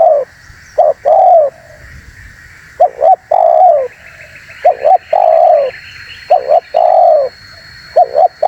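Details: Spotted dove calling for bird luring: repeated three-part phrases, two short hooked coos then a long descending coo, about every two seconds, with faint higher chirping and a thin steady tone behind.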